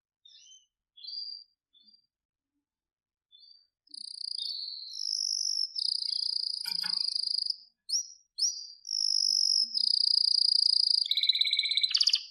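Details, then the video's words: Canary song opening with soft scattered notes, then long sustained rolling trills at a steady pitch and a final dense buzzy trill; a brief click partway through. "Wonderfull Canary Singing"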